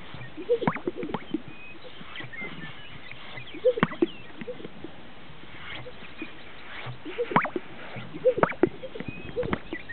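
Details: Greater sage-grouse displaying on a lek in northern Utah; repeated paired, gulping pops, each with a brushing swish, return every few seconds among overlapping rustles and faint distant whistles.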